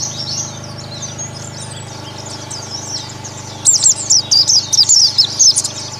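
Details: Ombyokan chorus of Oriental white-eyes for ngalas therapy: faint high twittering at first, then from about three and a half seconds a loud flurry of quick, piercing chirps in tight clusters.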